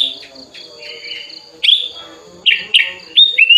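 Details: Tame sooty-headed bulbul raised from young, singing actively while opening its wings and calling a rival; clear whistled notes with slurred, bubbly phrases, ending in sharp rising whistles.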